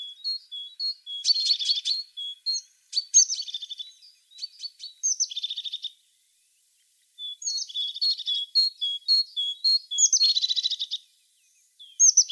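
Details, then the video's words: Tit song of high whistled and chirped notes mixed with short buzzy rattles, delivered in two long busy phrases separated by a silent gap of about a second and a half. "The sound of a tit singing"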